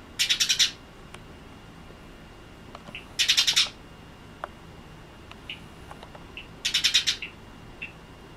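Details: Tame Eurasian tree sparrow repeating harsh rattling bursts of six to eight fast chirps, one burst about every three to four seconds, with faint softer notes and clicks in the gaps.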